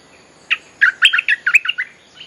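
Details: Bulbul lure song for attracting wild birds: a single note, then a quick bubbly run of eight or so chirping notes lasting about one second.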